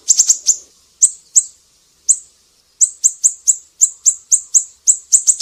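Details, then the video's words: Siri-siri for training songbirds like murai batu, kacer and cucak ijo: a quick cluster of thin, piercing chips, then spaced single notes that speed up into a steady run of about three per second. "Masteran burung siri-siri GACOR"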